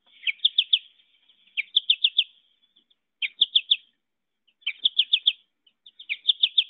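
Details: American Goldfinch in a Central Wisconsin backyard in July, in yellow breeding plumage, gives its 'po-ta-to-chip' song, often sung in flight: quick bursts of three or four high, chippy notes about every one and a half seconds.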